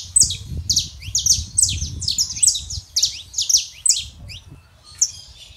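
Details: Male and female saffron finch singing to stir a quiet canary; fast series of high, sharp, down-slurred chirps, about two per second, loud and steady through most of the recording, with low background rumble.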